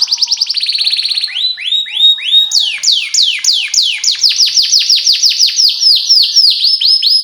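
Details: Canary song as a training lure for young canaries: a fast trill of short notes, then downward-swooping whistles and a long run of quick, rhythmic descending chirps.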